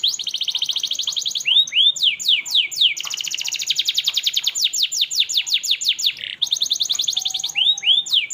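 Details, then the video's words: Canary in long, energetic song used to train young canaries: extended fast rolling trills of sweeping notes alternating with loud looping slurred whistles, carrying on without pause. "Kenari Gacor cengkok merdu.ampuh buat masteran kenari muda"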